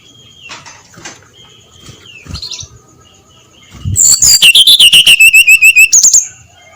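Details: Dawn 'ngeplong' song of a brown-chested jungle flycatcher, meant to coax others into singing. Faint whistles give way to a loud two-second series of evenly repeated, falling whistled notes over a buzzy trill.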